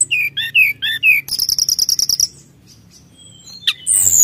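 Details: Brown-chested jungle flycatcher in energetic song meant to rile rivals: four paired two-tone whistled notes, then a rapid run of about a dozen bright chipping notes, a pause, a sharp downslurred note and a high ringing whistle.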